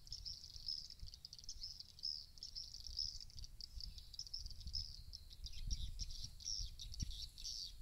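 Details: Swiftlet sound used to draw birds into a bird house to roost: a steady stream of high, sharp chirps and short twitters, over low rumbling noise.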